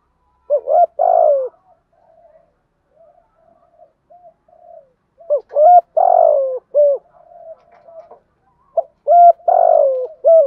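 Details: Spotted dove 'thúc gù' cooing meant to draw in wild doves: three phrases spaced several seconds apart, each a loud falling coo ringed by short hooked notes, with quiet murmured coos between them.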